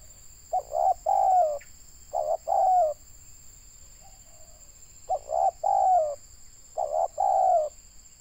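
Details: Tekukur or spotted dove, local bird used to lure wild doves in Indonesia, calling in deep cooing groups of two quick notes and one drawn-out coo sliding down, four groups with pauses, constant electronic whine behind.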